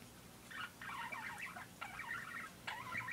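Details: Pet parakeet chattering in long scratchy bursts of warbled, rasping notes, broken by brief pauses, with a low background hum.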